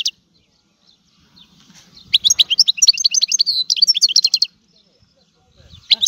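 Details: European goldfinch of Sicily delivering a rare old-style song: a sharp note, a pause, then about two and a half seconds of brisk, high twittering notes rising and falling, before another pause and a final chirp.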